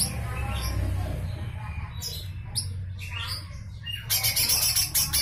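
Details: Rough 'besetan' song of a lesser green leafbird, offered for training white-rumped shamas and magpie-robins: short sharp high chirps and sweeps, ending in a fast, dense rattle of scratchy notes, with steady low hum behind.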